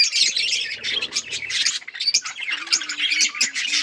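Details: Several Australian parrots chatter together in a dense wash of high, scratchy chirps and tweets, with a short run of soft low pulses early on and a steady low tonal note near the end.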